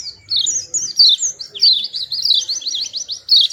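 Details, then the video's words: Cute little white-eye singing: a quick tumble of thin, high, slurred notes, then a short rapid series of repeated down-strokes. "Burung Kecil Pleci Bersuara Merdu"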